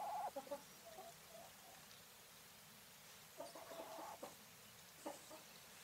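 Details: Female English White Coturnix quail hen calling: a short burst of harsh, nasal notes at the start, then a cluster of buzzy notes around the middle and a lone sharp note near the end, over a quiet background.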